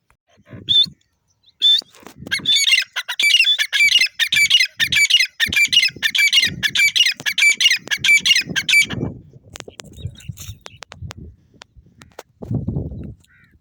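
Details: Grey francolin: two sharp high notes, then a fast, harsh, rattling series of calls lasting about six seconds, followed by quieter clicks and low thumps.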